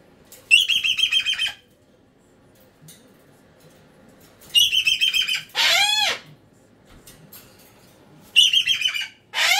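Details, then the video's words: Indoor pet cockatoo repeats loud pulsing buzzy bursts of about a second, interrupted once by a long hoarse scream, gaps of quiet between. "Cockatoo Meltdown To Whispering"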